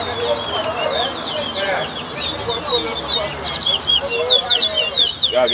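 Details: Caged lesser seed finch, known locally as towa towa, singing in a whistling contest at a West Side bird ground in Guyana: busy high whistled phrases of quick slurred notes, over crowd chatter.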